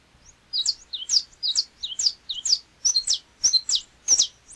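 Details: Canário-da-terra song from Brazil: high chirps mixed with short downward whistles, in quick couplets that grow louder. The phrase runs continuously for about four seconds.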